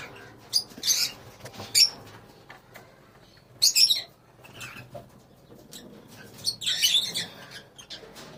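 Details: Lovebirds in a colony giving short, shrill, high chirps in scattered bursts, with quiet gaps and soft fluttering between calls.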